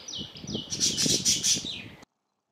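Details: Bulbul, either red-whiskered or red-vented, giving a quick run of bright, clear whistled notes, several dipping in pitch, with faint rustling beneath, lasting about two seconds before silence.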